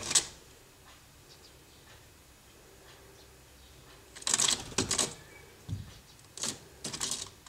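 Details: A Syrian woodpecker damaging a window frame in Budapest, 12 April 2015, strikes wood in irregular clusters of sharp dry knocks after nearly silent first seconds; uneven bursts, not a steady drum roll.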